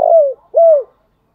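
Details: Spotted dove decoy in the morning giving two mellow coos, the first drawn out and sliding down, the second a shorter arched hoot, then silence.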